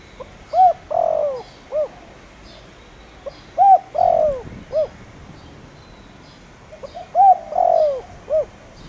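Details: Lure spotted dove singing in the Vietnamese 'thổ đồng' voice; three repeated phrases of a short coo, a long drawn falling coo and a clipped final note, spaced about three seconds apart.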